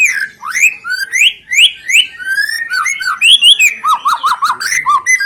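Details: White-rumped shama song used as a lure to set other birds singing: rich rising whistles repeated almost every half second, then varied slurred phrases and a run of quick dipping notes.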